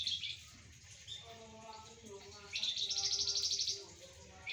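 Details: Golden-bellied gerygone singing while sunned with spotted doves and zebra doves; short high chirps, then a loud pulsing trill, while a lower tonal voice with stacked harmonics runs underneath.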